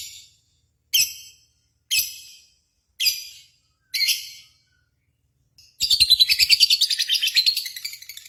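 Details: Lovebird contest lure audio: five separated harsh high chips about a second apart, then a sudden loud rapid chattering trill of buzzy pulses running to the end.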